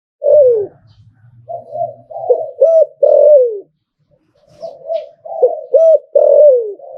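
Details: Zebra dove, a Thai contest-type bird kept for its song, cooing in two phrases: a falling coo followed by a run of short bubbling cooing notes, repeated after a pause, in a quiet setting.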